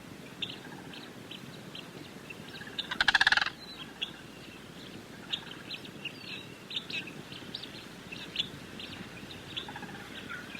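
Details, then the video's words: A single loud, rolling, rattled Sandhill Crane call bursts out briefly, then high thin chirps from small songbirds continue against a soft background hiss. "Sandhill Cranes: Majestic Calls"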